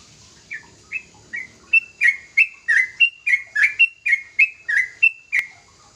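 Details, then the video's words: Young sooty-headed bulbul singing: a run of short whistled notes near two kilohertz, starting sparse then quickening to about three per second, some notes slurred downward with buzzy edges, ending on a sharp click. "Suara burung trucukan muda gacor"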